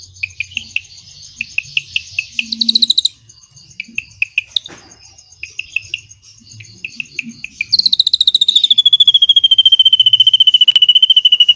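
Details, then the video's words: Drongo song filled with cililin-style phrases, used as training material for white-rumped shamas: short clipped chips in loose bursts and a brief rattle, then a long dense trill of pulsed notes gliding gently downward. "SRIGUNTING ISIAN CILILIN NEMBAK PANJANG"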